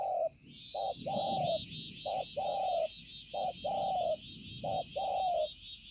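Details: Spotted dove with a striking pearl-spotted neck collar, a decoy bird recorded 5/9/2020; paired coos, a brief note followed by a longer slightly falling coo, repeated four times, with a faint high whine and murmuring in the background.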